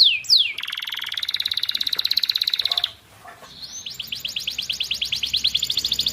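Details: Canary, young, singing tutor material for non-singing canaries: two quick downslurred notes open a steady rattling trill lasting over two seconds, a short quiet gap, then a rapid high repeated-note trill.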